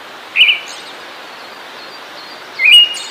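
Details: Two brief phrases of Siberian thrush song, each a clear whistle wavering upward and ending in a thin buzzy flourish. The phrases are separated by more than two seconds of quiet hiss.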